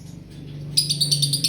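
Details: Female lovebird in breeding condition: after a quiet start, a fast run of high, sharp chirps begins midway and repeats about eight times a second, over a steady low hum.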